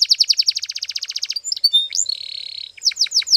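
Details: Canary training song: fast repeated sharp downslurred notes about ten per second, a brief pause, a rising whistle into a steady buzzy roll, then more quick downslurred notes.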